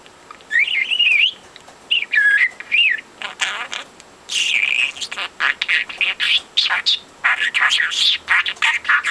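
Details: Four-month-old pet budgie chattering non-stop, mimicking overheard conversations: wavering whistled notes at first, then rapid buzzy syllable-like bursts in quick succession, loud and close.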